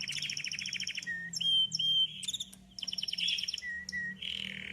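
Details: Red Belgian canary singing: quick buzzy trills alternate with short clear whistles and rapid rolling chatter, high and bright, phrases changing every second or so.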